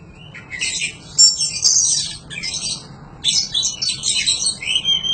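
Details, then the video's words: Oriental magpie-robin training recording for cage birds: dense, rapid high chattering and warbling in two long bursts with a brief gap between them. "Suara panjingan masteran burung kacer gacor"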